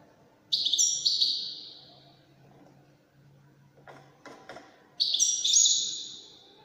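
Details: European goldfinch, Moroccan widani song style: two long, high, buzzy drawn-out phrases separated by a quiet gap with a few dry clicks.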